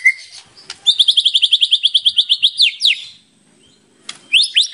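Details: White-rumped shama in full-repertoire song, used as a lure: a fast train of high repeated notes, some downward sweeps, a pause with faint background sounds, then a few more high sweeping notes.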